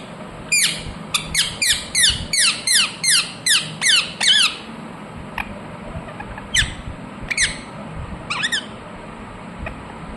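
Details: Pet ringneck parrot calling in its natural voice. A rapid run of about ten harsh, falling screeches, then scattered single shrill squawks after a quiet stretch.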